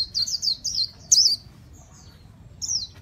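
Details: Short, loose phrases of high warbled chirps from a white-eye, with gaps between notes and one final bright phrase.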